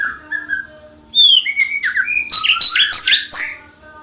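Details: National champion white-rumped shama singing in lively, rolling ngoceh ngerol gacor style: a low whistle, then sliding whistled notes climbing into a burst of sharp, high, chattering phrases.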